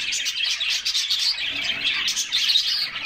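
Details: Canaries in a group enjoying a refreshing summer bath, pouring out a brief burst of bright, high chirping and quick rolling trills, many voices layered at once.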